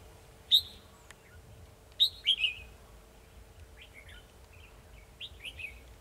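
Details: A decoy red-whiskered bulbul at a trap, recorded 2 December 2020, sings to draw in a rival: short clear whistled notes, then a loud slurred descending phrase near the middle, followed by fainter distant-sounding warbles; steady low hum beneath.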